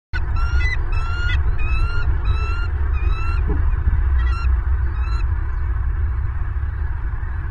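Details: Wild bald eagles at a nest in Southwest Florida, recorded by a nest camera on January 22, 2023 just after midnight: a series of thin, high, rapidly repeated piping chirps in short bursts over steady low wind rumble.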